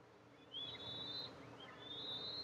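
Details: Two drawn-out, high piping whistles at an Eastern imperial eagle nest with two eaglets, mother arriving to feed, 14 July 2024; each note sweeps up and holds steady, over constant faint hiss.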